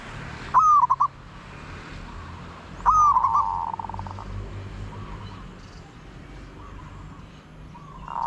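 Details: Zebra dove gives two ringing phrases about two seconds apart, each a rising opening note and a rattling run of quick notes. Fainter trailing coos follow, and a noisy background grows louder at the end.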